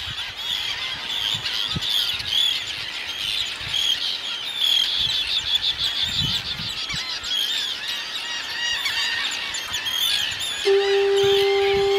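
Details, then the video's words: A packed Arctic tern colony on Matinicus Rock, Maine, keeps up a continuous din of harsh, grating high calls from many birds at once, with a steady low hum entering near the end. "Arctic terns sound off"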